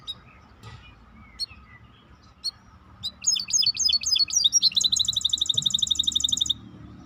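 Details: Maestro bird: a few scattered soft chirps, then loud high twittering notes building into a fast, even, rapid trill lasting several seconds.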